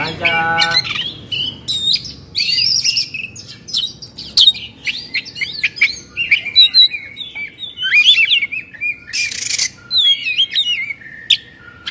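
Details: Agitated Oriental magpie-robin in 'kongslet' display, beak open and tail spread; a long varied sequence of sharp whistles, rapid chattering bursts and slurred notes, delivered in quick successive phrases.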